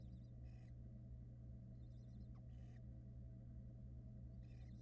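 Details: Barn owl in a Florida nest box holding chicks, as the female returns soaking wet from a short trip outside. Faint, short raspy hissing bursts come every one to two seconds over a steady low electrical hum.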